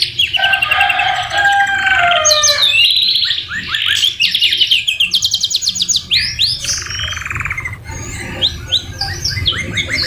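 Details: Canary tutor song filled with white-rumped shama (murai batu) phrases, opening with a lower warbling section, then rapid upslurred whistles, fast ticking trills and a steady buzzy rattle, delivered without pause at a brisk, uneven pace.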